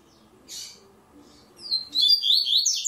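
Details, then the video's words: Double-collared seedeater from the third stage of an online singing tournament: a short noise, then a rising run of high, sliding whistled notes that builds into a dense, rapid phrase at the close. "TORNEIO VÍDEO WEB COLEIRO ON-LINE"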